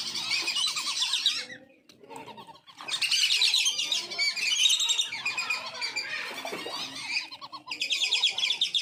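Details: Wandering whistling ducks kept on a farm, recorded as a lure to call in wild ducks: a dense, high twittering chorus with clear arched whistles repeated rapidly, broken by short pauses.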